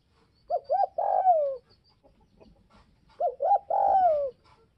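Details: Spotted dove from Northwest Vietnam, calling to provoke other doves, repeats its phrase twice about three seconds apart: two short coos and a long falling coo, with faint rustling between phrases.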